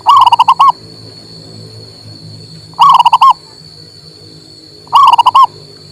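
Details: Male local zebra dove cooing, played to stimulate a silent bird to sing: three bouts of rapid, pulsing coos, each about half a second long and a couple of seconds apart, over a steady high electronic whine.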